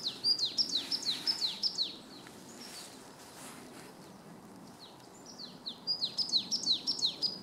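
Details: Marsh tit (Poecile palustris) song: two quick runs of bright, downslurred notes, about seven each, with a short pause between, over a faint low rumble.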